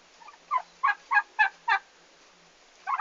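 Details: Turkeys on the day they arrived at the farm, 11 August 2015: a short run of five loud, evenly spaced gobbling notes in quick succession, bracketed by softer calls at the start and end.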